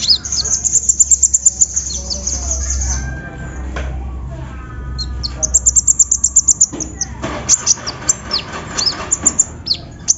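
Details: Sunbird lure song to encourage a quiet bird to sing: a fast high-pitched run of sharp repeated notes opens, followed by a second rapid burst and varied squeaky twitters and downward slurs, over steady low hum.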